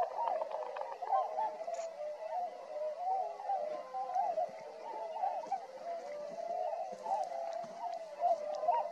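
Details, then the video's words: A flock of tundra swans foraging near Drumheller, Alberta, Canada, filling the air with a dense, continuous chorus of overlapping honks and yelping notes, no single bird standing out. "Tundra Swan"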